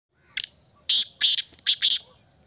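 Black francolin giving a harsh, grating phrase: a single scratchy note, then four loud rasping notes in quick succession, with nothing else heard.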